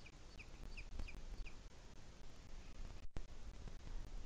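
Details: Booted eagle calling in the Sierra de Guadarrama on 2 July 2021 at 17:53: a series of short, thin, high notes repeated about three times a second, fading after a second and a half, over strong low wind rumble.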